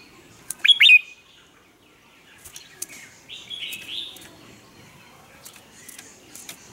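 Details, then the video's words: Red-whiskered bulbul singing in the morning as a lure for training birds: one short, loud warbled phrase near the start, then a softer, thin whistled note and scattered faint ticks. "Luyện chào mào hót sáng, hót hay"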